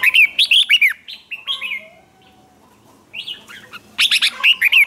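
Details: Competitive song of a red-whiskered bulbul, played to provoke other birds into singing back: loud rapid bursts of slurred, warbling whistles at the start and end, separated by a quieter pause with a soft, thin, drawn-out note.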